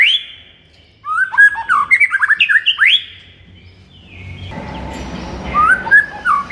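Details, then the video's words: White-rumped shama, morning singing used to fire up a kept shama; after a silence, a fast tumbling run of whistled and chattering notes, then a quieter passage over background rumble. "MASTERAN MURAI BATU DI PAGI HARI AMPUH UNTUK NAIKKAN EMOSI MURAI BATU ANDA"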